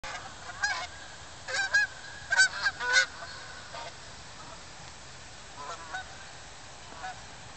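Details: Geese flying over Byrd Park in Richmond, Virginia, giving loud nasal honks in short bursts of two or three, clustered in the first three seconds, then fainter scattered honks as they move off, over a steady background hiss.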